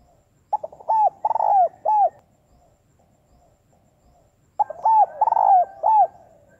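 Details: Spotted dove, a female cooing to stimulate males: two loud phrases about four seconds apart, each a short stutter of notes, a fast rolled burst and two clear drawn-out coos, with quiet pauses between.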